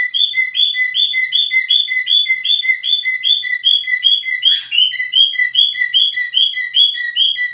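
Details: Cockatiel whistling: a steady string of short, bright whistled notes repeated two to three times a second, each slightly bent up then down, loud and clear with no other sounds.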